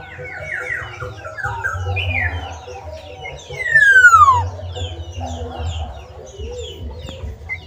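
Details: Black-naped oriole singing outside its cage: one loud, clear whistle slides steeply down near the middle, over a busy background of softer chirps from other birds and a low hum.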